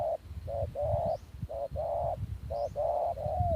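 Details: Decoy spotted dove taken back into the field, cooing in low, soft hooting phrases: short notes followed by longer drawn coos, repeated about once a second, with faint rustling beneath.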